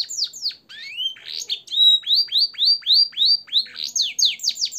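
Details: Canary tutor song with blackthroat and sanger fills: quick chirps, then a rising whistle, then a run of loud, clear upslurred notes repeated about three times a second, finishing with rapid high sweeps.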